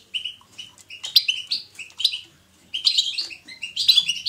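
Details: Batbata twittering of a European goldfinch, meant to stimulate pet goldfinches into song: bright chirps and liquid twitters in quick bursts, a clear pause mid-way, then a denser, more energetic rush of trilled notes.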